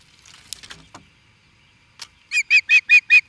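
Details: An osprey in Charlo, Montana, USA, reacting to an intruder, gives a quick run of five loud, high, whistled chirps, about five per second, after a few faint rustles and clicks.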